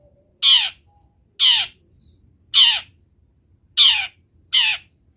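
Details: Long-tailed shrike giving harsh rasping squawks, five loud grating notes each about a quarter second long, roughly one per second, clear against near silence, within a song of mimicked wild-bird sounds.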